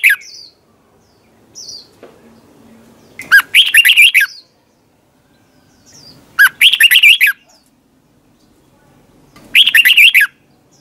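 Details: Red-whiskered bulbul singing competitively for training, delivering loud bubbling phrases roughly every three seconds, each a rapid string of rising and falling whistles, with faint short calls between.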